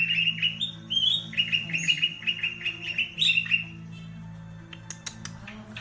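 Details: Tail-fanning green leafbird delivering a rapid string of sharp, repeated whistled notes for about four seconds, pitched fairly high and slightly rising, then fading to scattered clicks against a constant low background hum.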